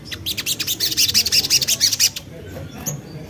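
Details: Lure song of a common iora to prompt birds to sing: a fast, even trill of high buzzy notes lasting about two seconds, followed by one or two isolated chips.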